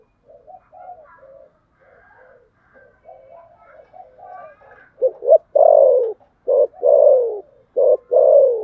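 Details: Spotted dove fighting coo in the thổ sấm style. Several seconds of quiet, broken low cooing build into loud, deep paired hoots: a short note followed by a longer, falling coo, repeated three times.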